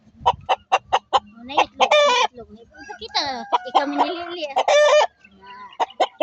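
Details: Chickens, including native Bisaya and Rhode Island birds kept on a farm alongside turkeys, cluck in a quick run of short, clipped notes, then give drawn-out nasal squawks, with a man talking over them.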